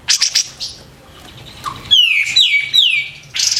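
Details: Kapas tembak, the white-eared bulbul, in full song with loud sharp phrases: quick buzzy chips, a pause, then three bright descending whistled slurs in succession before a final rasping note, low hum beneath.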